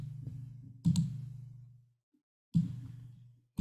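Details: Low, decaying tonal knocks come in three bursts separated by silent gaps, with sharp clicks at each onset, inside a small room; no animal sound is heard.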